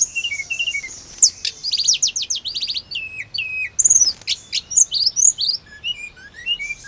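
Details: Hill blue flycatcher song played to provoke a quick, agitated reply from caged birds: sharp high whistles and clustered trilled phrases, with lower falling slurred notes and a brief noisy rasp in the middle.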